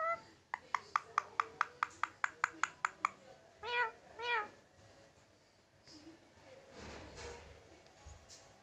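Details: Tamed Indian ringneck parakeet mimicking a cat: a rapid run of about a dozen dry clicks, then two short wavering meows, followed by soft rustling and low background noise.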